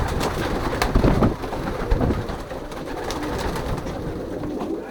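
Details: Young racing pigeons in their loft during pairing time, 2023 season: deep, throaty cooing and wing flutters form a loud, rumbling jumble, with occasional sharp taps.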